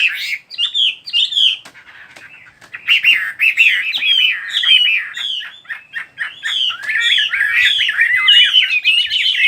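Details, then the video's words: Soft opening chirps give way to a busy, continuous warble of rapid twittering notes and quick whistled slides that grows fuller and louder toward the end. "Chỉ có nghe chim hót là tâm hồn thanh thản nhất."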